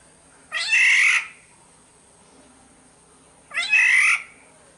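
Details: Sumbawa black-naped oriole used as a lure: two hoarse, drawn-out cat-like squawks, each with a rising start, spaced about three seconds apart over low background hiss.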